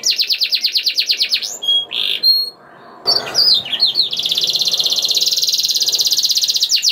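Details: Vigorous canary song, used to prompt other canaries into singing. It opens with quick repeated downslurred notes, then a short buzzy burst and a brief pause. Sweeping whistles follow, ending in a long, even, rattling trill.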